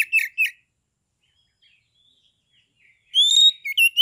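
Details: Oriental magpie-robin kept for song contests in Kebumen, Central Java, singing aggressively to provoke other birds: two slurred chirps, a long silence, then a bright rising whistle and short slurred notes.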